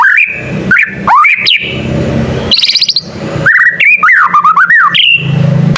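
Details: White-rumped shama, young and learning its song, making other shamas respond; clear whistled slurs and upsweeps, a short buzzy trill, then a wavering whistled phrase over soft low background noise.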